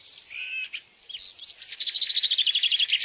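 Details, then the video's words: Wild bird singing in the open: rapid high chirps and twittering, a quick trill of repeated notes building in the second half, about three per second, with a brief pause near one second. "kicau burung di alam liar"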